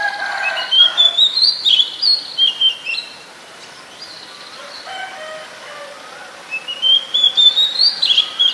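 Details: Oriental magpie-robin in Ubon Ratchathani, Thailand, 7 January 2021, recorded with a Nikon P1000: rapid bursts of high rising and falling whistles, a quiet pause of several seconds, then another quick whistled burst.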